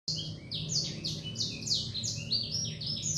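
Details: Songbird in a cage singing a fast series of bright, descending whistled notes, about one and a half per second, each sliding down sharply, over a steady low hum.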